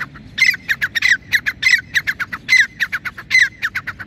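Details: Grey francolin in green grass in cloudy weather giving loud, harsh, rasping notes in a quick run of about three per second, a thin whistled tone ringing through some of the louder notes.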